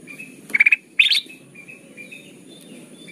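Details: Golden bulbul (kutilang emas) for bird trapping: one quick pulsed rattle, then a louder rising buzzy burst, followed by soft faint thin notes and hiss.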